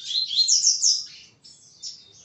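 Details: Captive male double-collared seedeater at a breeding facility, singing while courting a female: a fast, high, jumbled twitter for about a second, then a softer trailing phrase.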